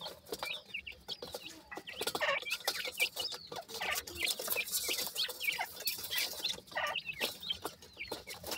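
Francolin chicks give a dense chorus of high, thin peeps and chirps, several overlapping each second from more than one bird.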